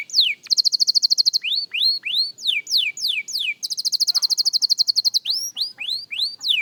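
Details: Young canary practising its song, alternating long, rapid ringing trills with series of bright slurred notes that rise then fall, roughly three per second.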